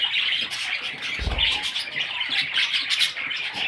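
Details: Young parrot chicks keep up a high, scratchy twittering chatter, interrupted by a brief low thump early on.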